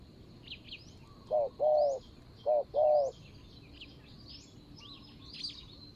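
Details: Ground decoy Spotted dove luring a rival wild bird, Thailand, 24 January 2022: two bursts of deep hollow coos, each a short note followed by a longer one, over scattered high twittering from other small birds.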